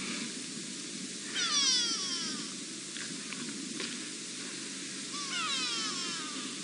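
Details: Grey go-away birds in South Africa's Sabi Sand near Kruger Park, three perched on a knobthorn treetop with more calling around, afternoon in September: two drawn-out descending nasal calls with stacked harmonics, over steady hiss and faint clicks.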